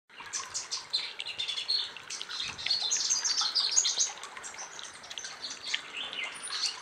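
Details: Male white-bellied sunbird (Cinnyris talatala) singing a fast, high, jumbled twitter of thin chirps and trills, pouring out several notes each second with little pause.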